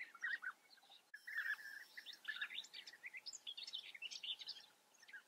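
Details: European bee-eaters calling at their breeding colony in the Eifel, Germany: a few rolling burry notes at first, then a busy, overlapping chatter of higher chirps from several birds.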